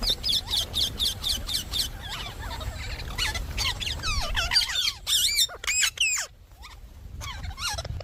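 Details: Indian ringneck parakeet chattering quickly, short harsh notes tumbling several per second amid steady hiss, ending with a few louder separate screeches.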